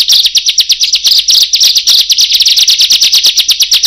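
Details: Bar-winged prinia in loud, driving song used to lure birds: a rapid string of high, sharp chips, several per second, steady and relentless.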